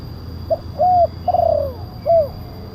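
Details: Lure recording of a spotted dove, kuk 1 style with a big voice, for calling down wild doves and training: a quick hoot, an arched coo, a long descending coo and a closing rounded coo.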